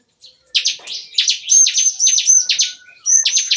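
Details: Caged bar-winged prinia at a breeding aviary, morning song compared to shooting: fast rattling series of sharp high buzzy notes, about four a second, with a thin whistled note threaded through.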